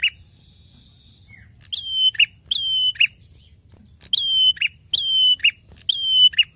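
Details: Prinia chattering in full voice for a songbird training recording: first a faint thin trill, then five forceful phrases of a clipped note, a long level high whistle and a buzzy lower ending, repeated roughly every second.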